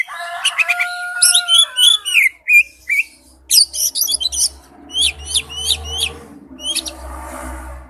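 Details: Oriental magpie-robin singing for a lure ringtone, opening with long steady whistles, then rapid varied whistled phrases and a series of sharp repeated downward-sweeping notes over a low rumble.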